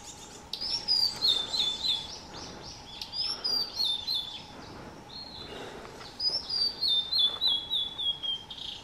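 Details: Blue-and-white flycatcher recorded 30 May 2020 at Shuhogahara in Kobe, Japan, as a pair holding caterpillars perched by fledging chicks; three loud clear whistled phrases, each falling in pitch through wavering notes, spaced about three seconds apart, with a low steady hum.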